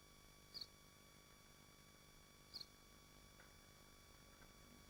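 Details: Nesting swifts in Machynlleth, Wales, within the Dyfi Biosphere, heard from a nest livestream: two brief piercing high screams about two seconds apart against a quiet background hum.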